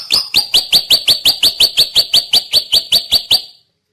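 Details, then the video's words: Rapid, regular train of about seventeen bright, clipped high notes from a drongo, each with a slight upward inflection, delivered evenly for three and a half seconds before stopping. "kicau burung srigunting"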